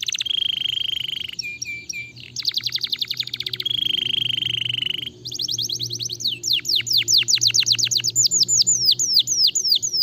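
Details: Canary song meant to stimulate other canaries into singing, a varied rolling performance: sustained whistled tones, fast buzzy trills, then quick repeated down-slurred chips, loud and continuous with a faint low hum behind.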